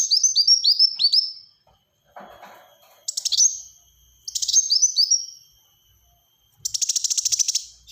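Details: Black-throated sunbird singing vigorously in dense bursts: a descending series of high chirps, faint low rustling, then buzzy pulsed phrases ending in a loud rapid rattle.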